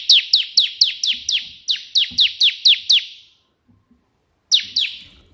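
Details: Eager Bar-winged prinia, or ciblek, singing tembakan perenjak putih style: a sustained three-second string of about fourteen evenly spaced, sharp descending notes, then silence and a new two-note start.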